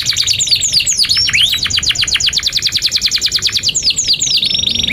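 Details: Young-canary training song from a canary: steady run of rapid, regular chip notes with occasional swooping whistles layered over, sounding like a dense pulsing trill.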